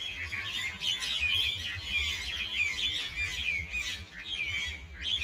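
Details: Common mynas squabbling in a group at Ewa Beach, a constant overlapping racket of scratchy squawks, chirps and rasping chatter, with brief surges in loudness.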